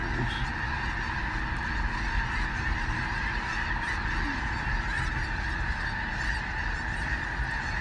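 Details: A huge flock of sandhill cranes lifting off near a bridge south of Gibbon, by Kearney, Nebraska, on 2 March 2018, their rolling, bugling rattles merging into a steady unbroken chorus over low wind rumble.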